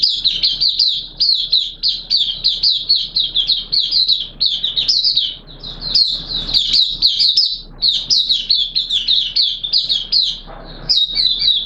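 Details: Caged oriental white-eye delivering sustained opening song during wet weather, September 2022: dense, high, fast chirps in rhythmic bursts roughly every half second, nearly continuous for over ten seconds.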